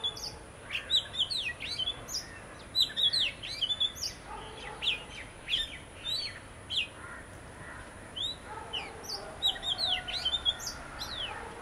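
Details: Continuous song from a pair of Oriental magpie-robins on a visit: a rich run of whistled phrases, sweeping up and down, with crisp chips and slurs packed closely together, briefly pausing midway, over a constant low hiss.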